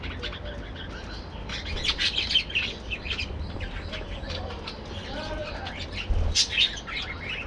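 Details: Budgerigars in a colony aviary chatter during morning activity: a dense, uneven run of quick high chirps and twittering notes, busiest in the middle and near the end, over low background rumble.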